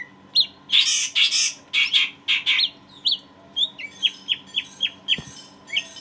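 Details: Greater green leafbird singing strongly as tutor material for a badly stressed leafbird: loud harsh rasping bursts at the start, giving way to a regular series of short downslurred whistles roughly three per second.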